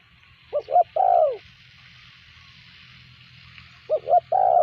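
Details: Spotted dove used as a decoy, cooing to draw in wild birds: two phrases of two quick hooted notes and a drawn-out, downslurred coo, over a steady low hum and faint background hiss.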